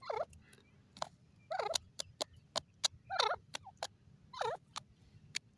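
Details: Grey francolin calling. Loud, rhythmic phrases of falling, ringing notes repeat about every one and a half seconds, separated by sharp clicks.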